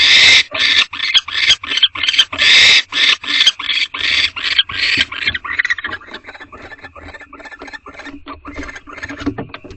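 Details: Nest-box barn owls during mating at 9:11 pm, the male visiting the female without food; rapid harsh hissing bursts for about five seconds, then fading into quieter fast ticking and rustling.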